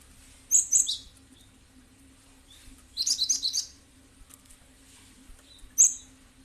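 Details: Cinereous tit calls played as a lure to prompt other birds to sing: three bursts of high, bright chirping notes, the middle one a quick run of four or five notes, over a faint hum.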